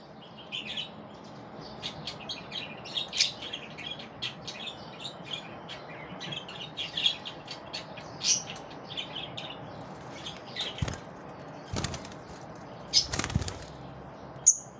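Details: Lovebirds chirping in the morning: steady stream of shrill high chirps and squeaky tweets, several per second, with a few dull knocks and bumps near the end.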